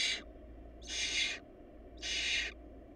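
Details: Barn owl nestlings in a family short of food give three harsh, breathy hissing screeches, each about half a second, spaced roughly a second apart over a steady low hum.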